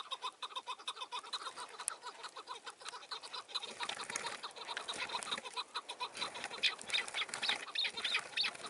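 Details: Wild chukar partridge in snowy mountains, spring 2019, around 11:30, calling for two hours before approaching and being caught briefly, giving rapid, harsh clucking chuk notes, about three per second, in a dense, uneven run with a faint hiss behind.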